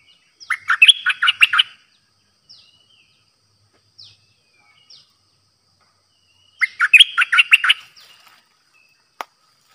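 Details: A streak-eared bulbul, a new decoy bird, recorded 6 May 2022, gives two bursts of rapid, bubbly chattering notes about six seconds apart, with a few soft single chips between; otherwise quiet.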